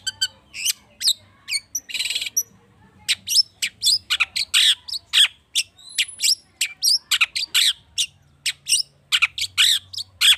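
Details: Agitated long-tailed shrike lure song full of rich fill-in, meant to get other birds singing: a busy stream of sharp high chips, quick whistles and a coarse rattling burst near the start.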